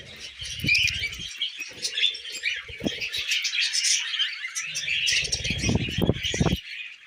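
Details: Several pet budgerigars feeding on millet, keeping up a rasping, warbled chatter throughout, mixed with wing flutters and low knocking and thudding sounds.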